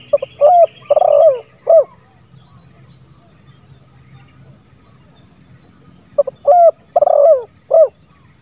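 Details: Spotted dove in the 'lambung kuk 1 suara ngeruk' style, used to lure doves that will not sing. Two separate low coo phrases are split by about four seconds of quiet. Each has a hoarse, rolling middle note.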